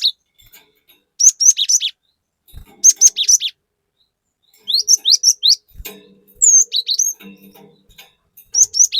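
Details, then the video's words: Varied cinereous tit lure song: repeated short bursts of three to five sharp, high, slurred whistles, delivered in quick succession over several seconds, with brief low knocks between phrases. "Pancingan Burung Glatik Batu Gacor Fariasi Glatik Bahan Auto Emosi || Glatik Batu Gacor Nembak"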